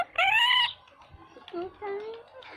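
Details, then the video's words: Parrot talking: a loud harmonic vocalisation at the start with rising and falling voice-like tones, then quieter speech-like syllables with gliding pitch. "parrot talking"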